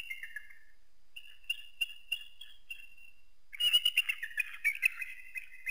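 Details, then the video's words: Eagle giving thin whistled notes, first soft and spaced, then a louder burst of fast, squealing chatter near the end. "Eagle sounds"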